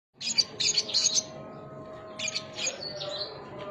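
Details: Lovebird song recorded as 'sogon isian', a local song style: bursts of high, shrill chirps clustered in quick rapid groups, a pause, then another shorter scratchy burst, with a steady low hum behind.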